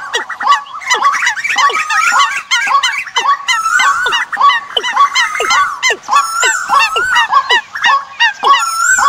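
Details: Decoy bird calls for the migration season. Many birds chirp and chatter together, with repeated steeply falling whistles and occasional longer wavering whistled phrases.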